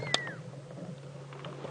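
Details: On a late-afternoon safari drive (4:30 PM, 26 June 2016) in South African game reserves, a fork-tailed drongo mimics a pearl-spotted owl's territorial call with one clear, high, downward-sliding whistle; a sharp click and low engine hum follow.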